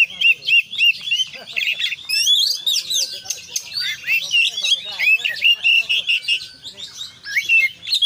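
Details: Oriental magpie-robin (kacer) singing in the 'gacor konslet full isian' style, packed with inserted phrases: a dense, nonstop run of sharp whistles, rapid trills and upslurred chirps, mostly high-pitched, with brief faint lower notes underneath.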